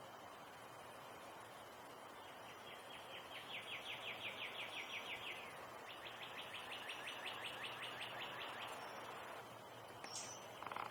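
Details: Fledgling Brown Thrasher, not yet able to fly and out of its nest near a bird feeder while still fed by its parents; two bursts of rapid, evenly repeated clicking notes, each lasting about two seconds, over steady background hiss.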